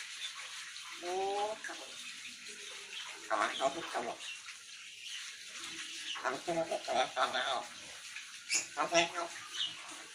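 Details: A pet grey parrot talks in short, speech-like bursts of mimicked words and squawks, over a steady background of running, splashing water.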